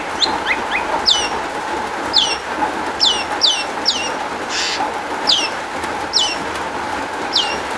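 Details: Long-tailed shrike song used as a lure for other shrikes: a series of loud, sharply downslurred whistled notes, often in doubled or tripled groups, repeated irregularly, with a steady background hum.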